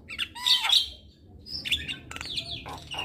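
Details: Javan myna on a lure and tutor recording aimed at making a bird sing and head-bob: grating squawks mixed with sliding whistles and a drawn-out falling note, in irregular loud bursts.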